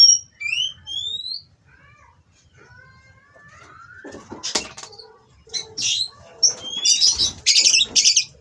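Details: Oriental magpie-robin (kacer) at a breeding farm, mating and singing to provoke rivals: a few clean whistled upslurs open, then near silence, then scattered scratchy bursts and high notes.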